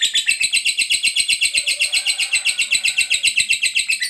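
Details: Long ngekek from a caged fighter lovebird, meant to draw answers from quiet lovebirds: very regular rattling pulses, shrill and buzzy, repeated rapidly without pause; faint low hum in the room behind.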